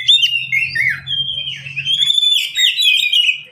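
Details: Caged Oriental magpie-robin, one of three kept birds calling back and forth, singing a run of loud, high, slurred whistles with quick warbled turns. A low murmur underneath fades after two seconds.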